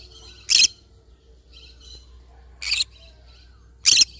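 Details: Yellow-sided conure parrot uttering three loud, rasping squawks spaced roughly every one and a half seconds, with soft chirpy chatter between them and a low background hum.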